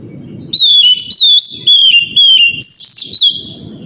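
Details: Oriental magpie-robin with a loud morning lure song, meant to draw replies from other magpie-robins, including young birds. Clear, harmonic-rich whistles glide down in short, even phrases, about two a second, with faint low thumps between.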